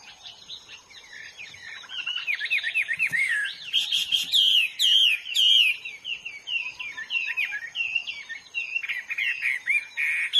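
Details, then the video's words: Wild hwamei singing in a long, varied stream of loud whistled phrases, looping up and down with rapid slurred notes and sharp high chips, fairly steady for ten seconds. "burung HWAMEY GACOR DI ALAM LIAR"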